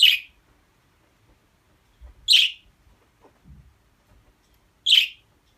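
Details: Budgerigar calls: three short, sharp chirps, each a brief bright burst, spaced about two and a half seconds apart, with faint low thumps between them in an otherwise quiet room.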